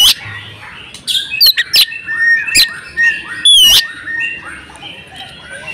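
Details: Breeding female oriental magpie-robin calling to stir males into song: scattered sharp chips and short whistles, quieter and more spaced than a full song, with one bright rising whistle near the end.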